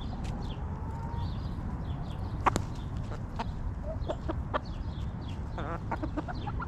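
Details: Backyard hens clucking in their coop: a held tonal note early on, then scattered short clucks and a burst of rapid harmonic clucking near the end, with high chirping birds and low rumble behind.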